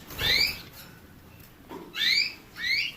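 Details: Canary giving three bright upslurred chirps, each a quick rising note with a higher overtone, the last two close together near the end, over a quiet background.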